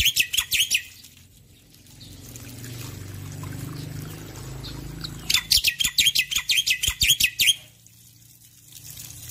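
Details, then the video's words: A male Black-winged Myna sings in the morning, opening with quick chirps, falling silent behind a steady rush of running water, then a long rapid trill of bright repeated notes. "Jalak Putih Jantan Gacor Pagi Hari"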